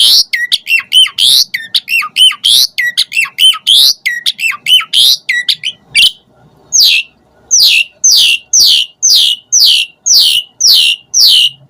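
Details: Loud Asian pied starling song used to stimulate other birds, packed with filler variations: rapid looping whistles for six seconds, then a regular series of harsh, downward-sweeping rasps about twice per second.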